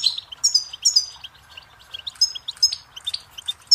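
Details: Song of a goldfinch, from a tape intended to teach chicks and songbirds, opening with loud sparkling chirps, then softer rapid twittering notes and a few sharp accents.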